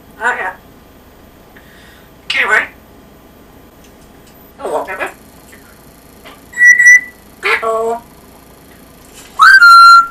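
An African grey parrot speaks in short, human-like phrases every two or three seconds, with a clear whistle between them and a final whistle that swoops up then holds steady.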